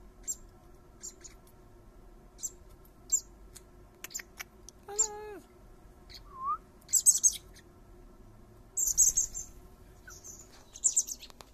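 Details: Common blackbird fledglings begging while their father feeds them: short, high, thin chirps scattered through the clip, with one clear descending whistle near the middle and a faint steady background hum.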